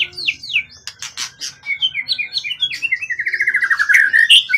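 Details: Long-kept, calm forest-origin competition bird with a tail over 20 cm in full song: descending whistled notes and dry clicks, then a fast repeated series of short chips speeding into a bright rolling trill.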